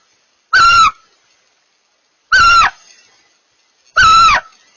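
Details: Three rasping screeches from barn owls during mating, each about a third of a second with a slight downward kink at the end, spaced roughly one and a half seconds apart.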